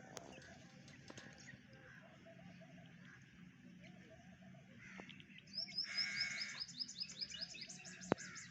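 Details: White partridge chicks, kept by a breeder, giving high, thin chirps in quick repeated bursts during the second half. The opening is quiet with low background hum and a sharp click near the end.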